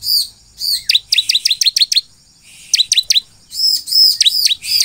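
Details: Energetic ciblek (bar-winged prinia) song for making other ciblek respond: bright arched whistle, then rapid high downslurred chips, a pause, another short chip burst and several drawn-out ringing whistles.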